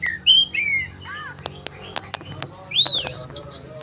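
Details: Oriental magpie-robin in sharp "roll tembakan" song: clean falling whistles, scattered sharp clicks, then arching high whistled phrases toward the end.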